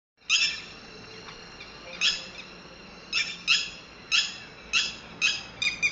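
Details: Red-wattled lapwing chicks calling: sharp, bright, harmonic notes, at first single and spaced, then coming in quicker pairs and bursts toward the end, over a quiet background.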